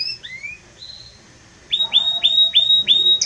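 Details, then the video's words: A Belgian canary sings forcefully and warmly. Soft rising whistles and a level tone come first, then a loud run of about six repeated whistled notes, each dropping briefly before holding steady. "Canto forte e muito quente deste Espetacular Canário Belga | Canary Singing"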